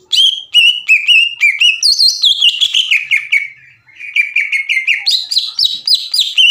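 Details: Greater green leafbird chattering a long 'ngekek' used as a master song to make other leafbirds sing: bouncing two-part whistled notes rising then falling in a fast series, a short break, and renewed climbing notes.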